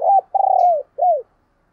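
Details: Decoy spotted dove calling to draw in wild doves. It gives a low hooting phrase of three parts: a short coo, a longer rolling, pulsing coo that slides downward, and a clipped falling final note, followed by silence.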